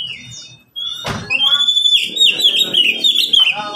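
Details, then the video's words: Captive Oriental magpie-robin, one of three caged birds answering each other: a sharp knock, then a sustained run of bright, fluttering, warbled whistles holding a steady high pitch with quick trills. "Kicau mania sederhana cocok untuk masteran burung Kacer yang malas bunyi"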